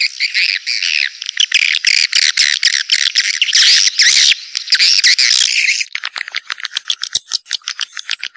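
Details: Swiftlet call used to attract swiftlets to a busy bird house: long harsh buzzy chatter, then a fainter run of rapid dry clicks.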